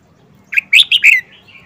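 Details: One distinctive song phrase from a caged, wild-caught red-whiskered bulbul held four months: a short chirp, then three loud rich notes in quick succession, ending in a trailing downslurred whistle.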